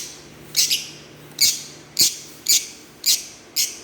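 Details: Green Fischer's lovebirds chirping steadily: six strident high chirps about half a second apart, the first doubled, over a quiet hum.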